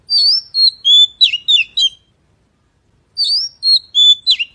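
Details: Oriental magpie-robin repeats a phrase of clear whistles, rising then falling, with notes sliding downward at the end; there is a silent gap before the phrase is sung again.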